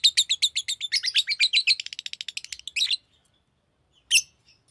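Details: A fast series of high, sharp chirps from a green lovebird quickens for about three seconds, stops, then one last chirp follows.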